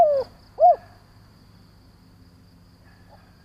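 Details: Lure call of a decoy spotted dove meant to provoke other doves. The tail of a falling coo, then a single short rounded note, a long quiet gap, and the start of the next coo.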